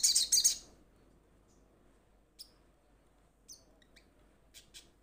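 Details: Crimson sunbird, young and moulting, calling to its companions: a loud, rapid burst of shrill high notes, then scattered single sharp chips with long silent gaps between them.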